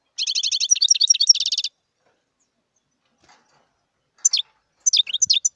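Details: A wild European goldfinch gives a rapid, bright twittering phrase of high, clipped notes lasting about one and a half seconds. A gap follows, then several scattered sharp, high chirps.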